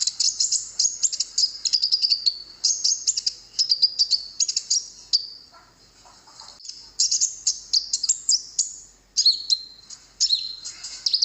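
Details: Konin singing on a lure recording for drawing wild birds to reply, with dense, high, scratchy twittering phrases, slurred whistles and rapid chatter, ending in separate sharp phrases after brief gaps.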